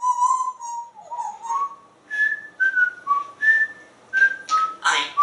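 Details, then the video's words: Talkative male African grey parrot, hatched 1997 and kept as a pet in a home in Texas, makes noises beside talking: a sequence of clear whistled notes, level then stepping up and down in pitch, ending with harsher clicks. "Einstein is Talking and Making Noise"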